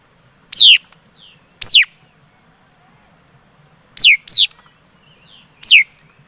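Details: Chim mi đất, a laughingthrush, sings six ringing whistles that fall steeply in pitch: two spaced notes, a quick pair, then a final note, with faint soft notes in the background.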